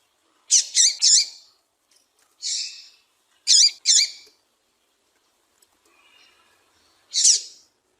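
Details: A female white-collared seedeater (Sporophila torqueola) gives high, thin chip notes in quick groups of two or three, repeated with short pauses, in a quiet setting; the call is used to stimulate idle males to sing.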